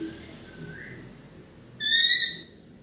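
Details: Talking Alexandrine parakeet kept as a pet produces a faint gliding syllable, then a loud, clear, harmonic-rich whistled note lasting about half a second, against quiet indoor background.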